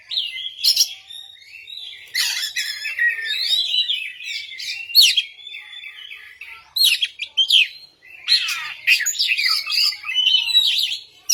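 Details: Oriental magpie-robin in full, vigorous song: dense, high bursts of varied whistles, chirps and scratchy trills, delivered in quick phrases broken by brief pauses.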